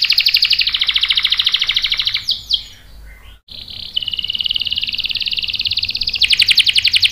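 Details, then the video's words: Canary singing a lure song meant to provoke other canaries into answering with sharp rolls: fast, even buzzy trills, a brief pause with a few slurred notes, then a steady rolling tour ending in louder pulsed notes. "PANCINGAN KENARI GACOR bikin EMOSI jadi NYAUT NGEROL TAJAM | CANARY SINGING"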